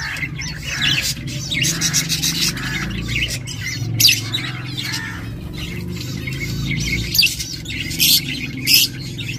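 Budgerigars chattering and chirping, with dense scratchy warbles and sharp squawks coming in bursts, over a low steady hum.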